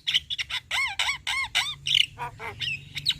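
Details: Javan myna singing as a master recording for other birds: repeated rising-falling nasal whistles and harsh squawky notes in quick succession.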